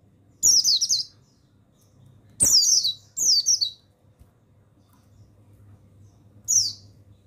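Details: Male pleci buxtoni, the mountain white-eye, in master song to get untrained birds singing: four shrill downward-sliding twitter phrases, one early, two close together near the middle and one at the end, over a low hum.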